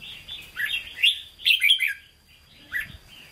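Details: Brief Hue-style singing from a caged red-whiskered bulbul: a warbled run of chirpy, fluty notes, a short pause, then one final upslurred chirp, over a faint steady high tone.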